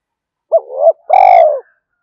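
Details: Spotted dove cooing to bring wild doves in: a single clean phrase of a rising opening note, a swelling coo, a short break and a long, steady, gently descending final coo.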